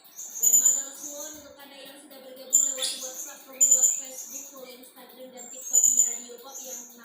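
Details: Hanging parrot delivering its so-called firing song: very high, thin, sharp whistled bursts about every one to two seconds, some trilled, over a steady low tonal background hum.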